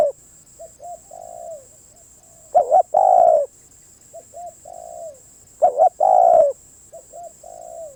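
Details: Spotted dove cooing: a loud phrase of two quick hooked notes then a long, slurred, falling coo, given twice about three seconds apart, with softer, similar coos between; a thin, steady high whine throughout.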